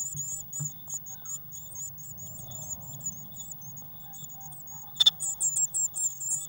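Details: Blue tit nest box, 19 May 2019, waxworm feeder recently topped up; faint high twittering grows into loud, regular piercing chirps after a sharp click near the end.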